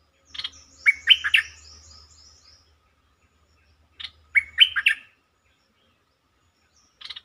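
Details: A bulbul's song, used as a lure to stir birds up: two bright, liquid, warbled phrases about three and a half seconds apart, each led by a short scratchy chirp.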